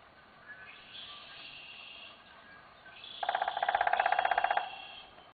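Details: Common flameback, also called common goldenback woodpecker, at Singapore Chinese Garden on 2 June 2017: a fast, even rattling trill of about eighteen sharp notes lasting over a second, over faint background birdsong.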